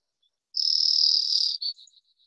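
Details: A Brewer's Sparrow, a sagebrush-habitat bird in Colorado, gives its musical three-parted song: a high, buzzy trill lasting about a second, then a short run of slower, separate chips that fade away.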